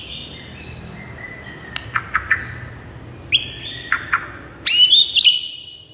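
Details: White-rumped shama song meant to make a silent bird start singing: long clear whistled notes held steady, sharp rising clicks, then loud ringing whistled bursts near the end.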